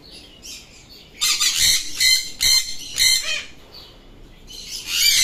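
An Alexandrine parakeet gives about five harsh, grating bursts, each under half a second, at an uneven pace. The voice is raspy, high and broad-toned, with little else heard.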